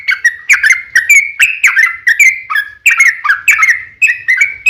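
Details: Trucukan (Yellow-vented Bulbul) in a spirited 'ropel panjang' song, used as a lure for other birds; a series of loud, bubbling whistled notes in quick succession, some doubled, with sharp attacks and little else audible.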